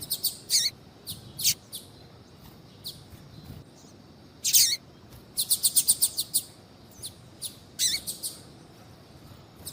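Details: A captive female double-collared seedeater calls to warm up a male's singing. Brief, piercing high chirps come in loose clusters, including a rapid string of about six notes just past the midpoint.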